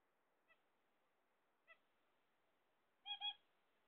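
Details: Two faint, short nasal notes from pet zebra finches awaiting eggs come about a second apart. They lead up to a loud harmonic double honk near the end.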